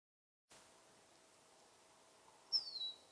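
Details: Finch in summer giving a single clear, high whistled note that slides downward and fades after a quiet stretch of faint background hiss.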